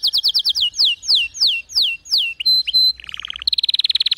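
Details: Canary song played so weak or silent canaries can learn: a run of sharp downward-sweeping whistles, then short varied phrases including a pure held note, ending in a fast even rattling trill.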